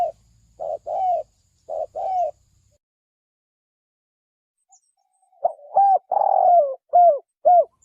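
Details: Spotted dove decoy calling as a trapping lure. A few clipped, hoarse coos come first, then a long silence, then a quicker burst of short coos around one drawn-out note.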